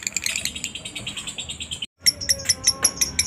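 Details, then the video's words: Lovebird ngekek song used as a lure to set other lovebirds singing: a fast, high chattering rattle for almost two seconds, then a brief silence and scattered sharp chirps. "pancingan burung Lovebird suaranya bikin lbmu ikut ngekek ,rajin bunyi pastinya ngekek panjang"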